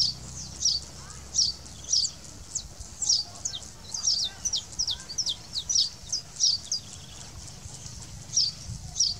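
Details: Saffron finch singing in its natural habitat: a lively run of high, sharp chirps and quick descending slurred notes, delivered in bursts about every half second with brief pauses, over a quiet background.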